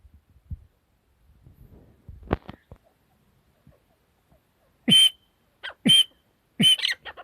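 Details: Soft thumps and rustles, then a female partridge bursts into three loud, harsh calls about a second apart, each with a sharp whistled tone.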